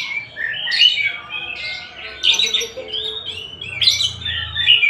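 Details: Singing kacer of the Tasik type, the Oriental magpie-robin. Rich warbled phrases mix sweet whistles with buzzy, chattering fragments in three main bursts over a faint low hum.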